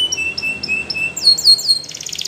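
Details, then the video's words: Belgian canary in rambling song, giving level whistled notes repeated in a steady series, then switching to looping upslurred sweeps and a fine buzzy roll. "The Best Belgian Canary Ramblings !! Your Canary Won't Stop Singing"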